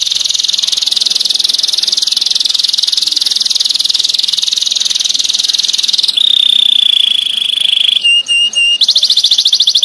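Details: Canary master song, 'tembakan' style, dense and sharp: a long high rolling trill that switches to a clear sustained whistled note, then a few clipped staccato pulses, before a fast trill resumes.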